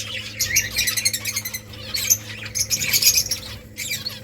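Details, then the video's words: Finches in a nesting colony chatter continuously, many overlapping high thin chirps and rapid twitters rising and falling in waves over a constant low electrical hum. "Finches making nest Finches chirping sounds beautiful finches colony"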